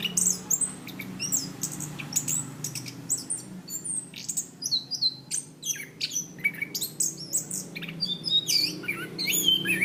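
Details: Orange-banded thrush (Zoothera interpres), a cage songbird, on a training recording: continuous lively song of rapid, very high chirps, trills and whistles, uneven in rhythm throughout nearly ten seconds.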